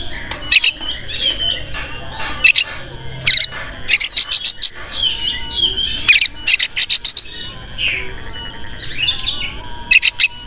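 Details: Vigorous kacer (oriental magpie-robin) song intended to agitate other birds into opening tails and beaks; sharp rattling chip bursts interleaved with warbled whistles across the whole stretch.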